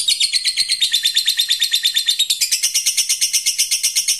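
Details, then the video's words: Fighter lovebird ngekek call toward a rival: continuous fast rattle of shrill, scratchy notes, regular and unbroken, shifting slightly higher midway through. "Suara burung Lovebird fighter memanggil musuh lanjut ngekek"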